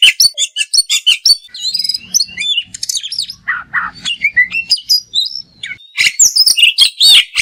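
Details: Oriental magpie-robin, or kacer, pouring out fast twittering song with fill-ins and bursts: rapid chirps, looping whistles and scratchy mimicked phrases in quick succession.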